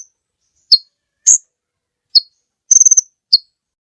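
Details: Kolibri ninja sunbird on a training track for songbirds: four isolated sharp high chips and one fast stuttering trill of about six notes, sparse and irregular, against silence.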